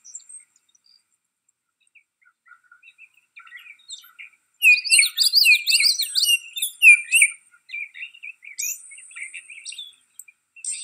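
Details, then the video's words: A Baltimore Oriole at Riverwood gives a quick three-second burst of bright, slurred chattering notes, with softer scattered chips before and after; Baltimore Oriole. "Baltimore Oriole Call"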